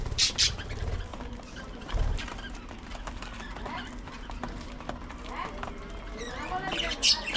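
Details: Budgerigars in an aviary on a sunny spring day chatter with quick warbling chirps and sharp squawks, over low rumbling thumps.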